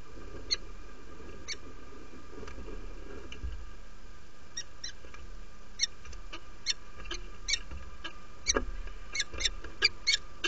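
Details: Inviting calls of a female peregrine falcon newly arrived at the nest, Derby, UK, early morning of 17 February 2017: sparse sharp chips that quicken into a dense, excited run of rapid notes, with a low steady hum.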